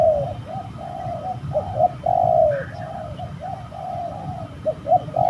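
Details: Spotted doves in a fight, recorded while trapping birds at a somewhat spooky spot: a rapid run of mid-pitched coos, short clipped notes mixed with longer drawn-out ones, almost continuous, with a faint low hum beneath.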